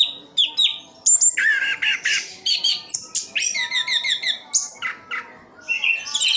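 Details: Kept Orange-headed thrush (anis kembang) from Sidoarjo, East Java, singing a varied stream of high whistled phrases, chattering notes and rapid trills in quick succession, with a faint steady hum behind it.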